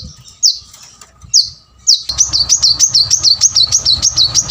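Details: Energetic song of a plain-throated sunbird, used to coax reluctant birds into singing. Two separate high notes open, then a quick run of about twelve high, bouncing notes at a steady, rapid pace.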